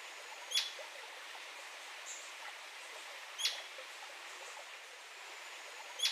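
Royal flycatcher giving a sharp, high, clipped note three times, about every three seconds, over a steady background hiss.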